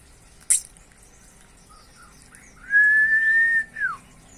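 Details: Common iora singing often with varied phrases: after a short click, a single long, steady clear whistle is held for about a second, ending in a brief falling note.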